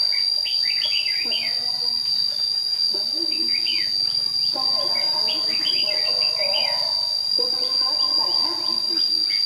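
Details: Red-whiskered bulbul, white-cheeked, singing in a trap at dawn, short bright warbled bursts every second or two, over a steady high insect-like drone and some lower chatter.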